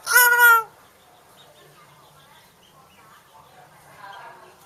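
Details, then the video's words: Hill myna speaking a New Year greeting. The clip opens with one brief, loud, harmonic speech-like syllable lasting under a second, followed by near quiet with faint murmurs and a soft voiced sound near the end. "อวยพรปีใหม่ เจ้านกขุนทองทายทัก"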